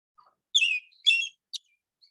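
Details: American robin (Turdus migratorius) song: two brief, rich warbled phrases about half a second apart, followed by a short high note, otherwise quiet.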